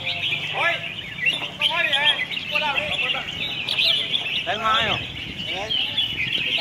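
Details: Red-whiskered bulbuls sing against one another at a contest field in Hat Yai district, Songkhla, Thailand. Short bursts of fast, bubbly, up-and-down whistles come about once a second, layered over a continuous high chorus and low human murmur.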